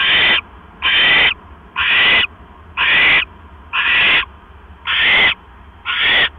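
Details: Owl at a nest on October 12, 2015 at 9:40 PM, as a mouse is brought in; harsh, breathy hissing screeches about half a second long repeat roughly once a second, seven in a row over a faint low hum.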